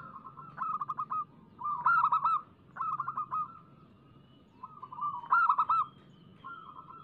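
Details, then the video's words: Local zebra dove in full song, played as a lure to make other doves sing: mellow rolling coos near one pitch, each phrase a quick trilled burst followed by drawn-out notes, repeated about every one and a half seconds with short pauses between. "Suara pancingan burung perkutut lokal gacor"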